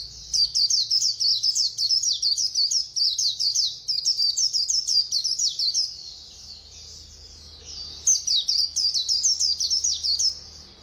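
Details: White-eye singing fast in khuyên líu style: long, dense runs of rapid high twittering chirps, a short quieter warble near the middle, then another energetic chirping burst.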